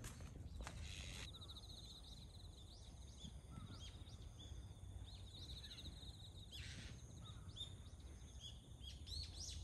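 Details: Azure-winged magpies, recorded 29 September 2024, trade quick, thin chirps and short upslurred notes, several birds calling at once, over a low steady rumble with a couple of brief rustling bursts.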